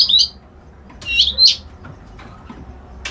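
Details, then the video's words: Reed warbler, locally called white-browed kerak basi, giving short harsh chattering phrases with high buzzy notes near the start and again after one second, separated by quiet gaps. A faint click follows at the end. "Suara Burung Kerak Basi Alis Putih"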